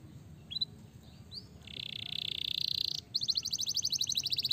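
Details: Canary singing over a noisy background: a few short rising chirps, then a long steady buzzy tone, followed by a fast, rattling trill of sharp repeated notes.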